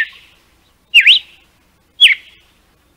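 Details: Northeastern red-cowled cardinal singing the 'canto de açoite' meant for teaching chicks, with crisp whistled notes roughly a second apart: a dipping V-shaped whistle, then a flat note that drops, each trailing into a faint echo.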